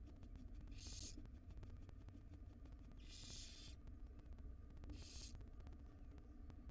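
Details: Wild barn owls at a nest box during feeding of the tiny chicks by the female; three harsh hissing bursts about two seconds apart, the middle one longest, over low hum.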